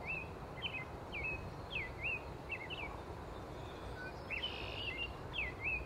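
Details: Wild American robin in Canada singing a run of short slurred whistled notes, each rising then dropping, repeated steadily over constant low background rumble.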